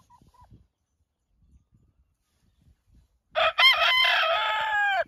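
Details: Rooster standing guard over a barred rock hen, protecting her. After near silence with faint low knocks, a loud, harsh, harmonic crow starts abruptly at about 3.3 seconds, with a brief break before a long sustained final note running to the end.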